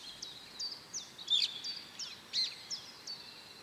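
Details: Mallard mother with her ducklings: a steady scatter of short, high-pitched peeps, roughly one per second, some sharper and louder in the middle, set against faint outdoor hiss.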